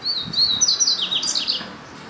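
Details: A double-collared seedeater delivers a bright, high-pitched song of quick slurred whistles followed by tumbling trilled notes, the phrase lasting about one and a half seconds before fading to quiet.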